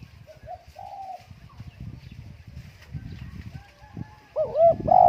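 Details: Spotted dove kept at home during strong wind: faint short coos early on, then louder wavering coo notes near the end over low gusty rumble.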